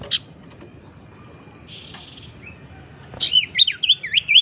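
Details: Tailorbird lure call for luring birds and stimulating reluctant singers: a few isolated high notes, then a lively jumble of twisting, scratchy, high whistled phrases near the end.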